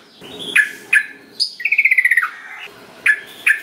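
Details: Bulbul lure song, yellow-vented, to prompt quiet birds to sing: a few sharp, clipped chirps around a short rapid trill that steps slightly downward.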